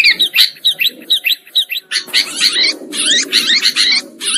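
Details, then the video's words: Lure sound used to trap sooty-headed bulbuls: a run of short, clear repeated slurred notes about three per second, then louder overlapping chatter over a low murmur. "Suara Pikat Burung Kutilang Ampuh"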